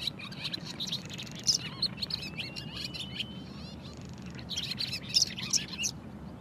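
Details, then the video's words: Barn swallow song: twittering in quick, high chirps and squeaky notes, with a dry grating run in the middle and a second burst near the end, over steady low background noise. "Barn swallow song"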